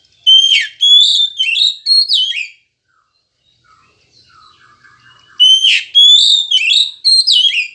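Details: Oriental magpie-robin singing, played to coax caged birds into morning song: bursts of loud whistled and slurred notes, a pause with faint soft chattering, then another burst of bright whistles.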